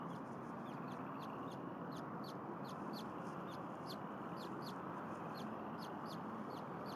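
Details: Thin, piercing chirps from newly hatched bald eaglets in their nest at Berry College, Rome, Georgia, afternoon in February 2021 with a second egg pipping; short high notes repeat about twice a second over constant broad rushing noise.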